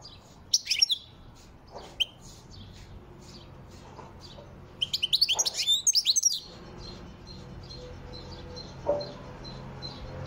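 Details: Wild European goldfinch song: scattered high chirps, then a rapid tinkling, twittering burst of about a dozen notes, followed by softer isolated calls against a faint steady background hum.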